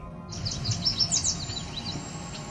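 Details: Cedar waxwings on the Otter Lake Trail near Cape Chin North, Ontario, on 17 July 2019, give a very high, thin whine after a yellow warbler song, ending drawn-out and sibilant, over a low rumble and other birds.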